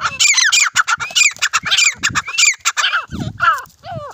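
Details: Grey francolins (desi teetar) fighting, giving dense, rapid, grating calls that repeat almost without pause. A few shriller rising and falling squeals come near the end.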